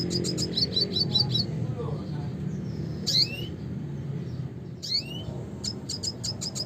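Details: A red siskin (Spinus cucullatus) singing classic song, a fast string of high repeated chirps, then slurred rising notes after pauses and a closing chirp series; low hum underneath.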